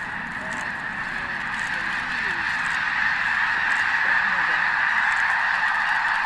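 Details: Huge flock of wild snow geese during a mass take-off shortly before dawn on a cold December morning at Bosque del Apache National Wildlife Refuge; a dense continuous roar of overlapping high honks, with a few clearer yelping notes.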